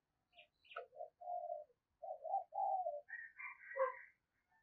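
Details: Spotted dove lure bird coaxing wild doves with 'thúc gù' cooing: several low rolling coos, followed by a cluster of higher chirping and twittering notes from other birds near the end.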